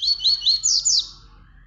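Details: Tui Tui song used as tutoring for young birds: five quick, high, upward-sweeping whistled notes packed into about one second, then fading, over a faint low hum.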